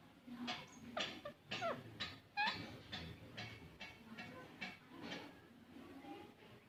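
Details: Green parrot uttering a string of short, rasping squawks and clipped chirps in quick succession, some notes sliding upward, at moderate volume against a faint background hum.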